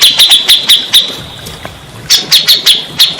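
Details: {'caption': 'Grey-cheeked bulbul, used to prompt silent, stressed birds to answer: a string of crisp, evenly spaced high chips, a quieter pause, then another quick run of sharp notes.'}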